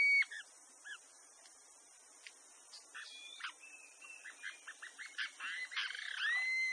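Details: Bronzy jacamar (Galbula leucogastra) song in Brazil: high, thin whistled notes, first spaced apart, then quickening into a run that ends in a long drawn whistle, over a faint high insect hiss.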